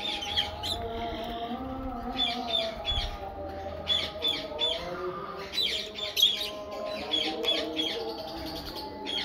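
Fischer's lovebirds give sharp, high chirps and squeaky chatter in quick bursts. A steady hum and some faint background sounds run beneath them.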